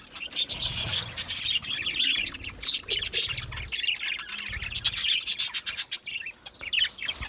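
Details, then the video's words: Budgies, small Australian parrots, chirping in an aviary: dense overlapping chatter of scratchy warbles, clicks and sharp chirps from several birds at once, continuous throughout with brief louder bursts and faint low thumps beneath. "Budgie chirping sounds"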